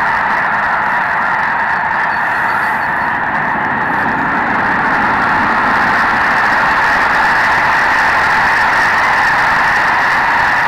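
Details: Snow geese by the hundreds of thousands, about 750,000 counted, taking to the air before sunrise on 13 March 2018: a near-deafening, unbroken roar of countless overlapping honking calls merging into a dense, steady wall of sound.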